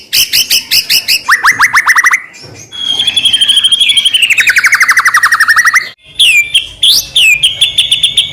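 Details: Medan-type white-rumped shama singing nonstop 'full isian', a song used to stir another shama into singing. It gives rapid notes, then a long buzzy rattle of fast repeated notes that slowly falls, then bright rising whistles.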